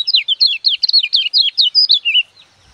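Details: Lemon-bellied white-eye singing as a tutor for young birds: a lively series of about twelve quick, looping high warbled notes falling and rising in turn, ending abruptly after two seconds.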